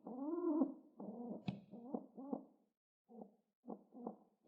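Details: Pet pigeon, excited while being petted and pecking the ground, gives low throaty arched coos in a series of pulsing notes, with one sharp click near the middle and short pauses before softer closing coos.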